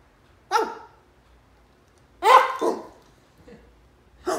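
A cockatoo imitates a dog with short, harsh, barking bursts spaced a couple of seconds apart.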